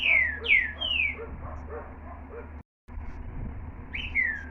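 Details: Green-winged saltator song: three loud, clear whistles, each sliding downward, given in quick succession, then a brief break and another falling whistled phrase, over a low steady background hum.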